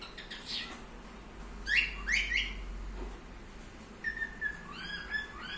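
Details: Pet budgerigar calling: brief bursts of sharp, buzzy chirps and warbled whistles, a pause, then a run of quick chirps and rising notes, indoors with low hum.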